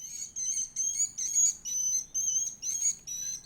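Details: Edible-nest swiftlet chick being fed, giving a run of thin, high, piercing squeaks in bursts of roughly a third of a second, repeated over two times a second with short gaps between.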